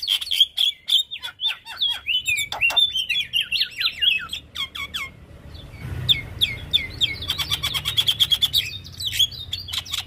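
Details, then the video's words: ['Training recording of a caged Javan myna: a long, varied medley of quick whistled slurs, clicks and chattering notes, briefly pausing at midpoint before resuming with fast ticking bursts and high whistles.'] "Masteran Burung Jalak"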